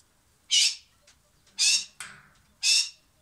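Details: Silver pheasant giving three loud, harsh, high-pitched squawks spaced about a second apart, each a short bright burst, with faint softer sounds in between against a quiet background.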